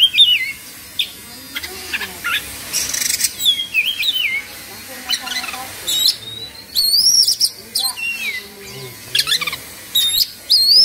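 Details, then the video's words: Agitated Oriental magpie-robin, singing in an excited 'kongslet' state with beak open and tail spread, Indonesia. Varied loud whistled phrases with sharp rising and falling slurs and brief harsh bursts, separated by short pauses; faint low murmuring beneath. "Suara Kacer Emosi/Kongslet"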